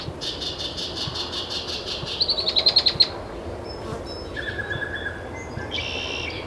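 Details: Great-tailed grackle at Taos, New Mexico, June 17, 2017: a run of rapid repeated ticking pulses, a string of sharp clicks, a level whistle, then a closing buzzy squawk.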